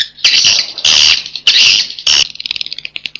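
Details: 'Inap Ababil' swiftlet roosting call: long, harsh, buzzy high bursts of about a third of a second each, four in a row, followed by a quick run of faint clicks.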